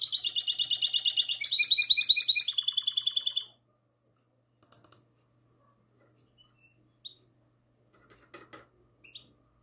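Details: Goldfinch hybrid singing in the classical song style, recorded on the night of 22 March 2020: dense, rapid, high trilled phrases with buzzy repeated notes for about three and a half seconds, then near silence with a few faint clicks.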